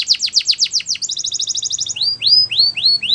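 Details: Belgian canary training song for young canaries: quick descending notes, a clipped double-toned trill, then rising whistled slurs about four per second.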